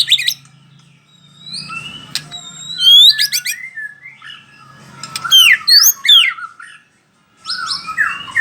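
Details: Bahorok white-rumped shama performing from a single spot: clear whistled sweeps and loud upward-swooping notes in quick varied phrases, brief chatter, a short silence, then more whistled phrases over a faint low hum.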